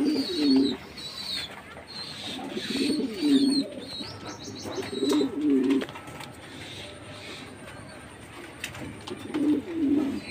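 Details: Jacobin pigeon giving repeated low, throaty coos in short rolling phrases, five bouts spread across the recording. A quiet stretch in the middle and high chirping from other birds run behind the calls.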